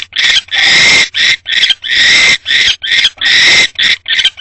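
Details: A wild barn owl pair in a nest box at night, 19 March 2025, during mating after the male's return with no food. Long, rasping, hissed screeches alternate with shorter ones, about eight bursts in four and a half seconds.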